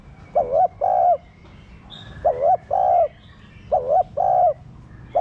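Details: Spotted dove used to stimulate caged doves to coo: three two-part coo phrases under two seconds apart, a short wavering note then a longer even hoot, with a faint high chirp in the background.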